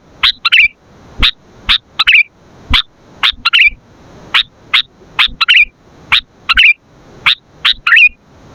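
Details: Sooty-headed bulbul in vigorous song, meant for luring and training: rhythmic crisp chirps, often doubled, alternating with short rolling warbled notes, repeating about every half second throughout.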